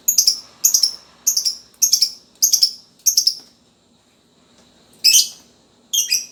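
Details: Lovebird of the fighter type, kept as a lure to provoke other lovebirds to sing, giving harsh, high, buzzy chirps in quick doubled bursts, six close together and then two more after a pause, over a faint low hum.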